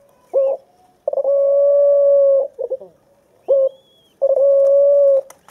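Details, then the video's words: Two 23-day-old white dove chicks, one perched on a stick and the other learning to peck the ground, give steady, whistled mid-pitched notes, two long ones about a second and a half each, separated by short chirps, in otherwise quiet surroundings. "Crías de tórtola blanca"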